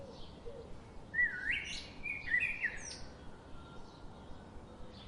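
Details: Common nightingale (Luscinia megarhynchos) singing in the morning near water: a brief, rich burst of quick whistled and slurred notes with a rising sweep, over a steady rushing background noise.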